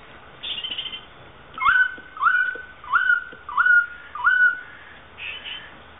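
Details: Captive South Island kaka in a Dunedin Botanic Gardens aviary, New Zealand, playing on a chain; a series of five clear whistled notes, each slurring upward then holding steady, repeated about every half second.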